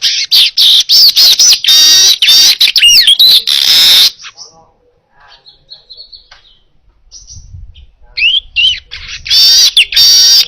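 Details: Actively singing baya weaver in a clear recording meant to train other cage birds. Long loud runs of rasping, buzzy wheezes and rapid chatter give way to a quiet stretch of thin chirps before the harsh wheezing returns.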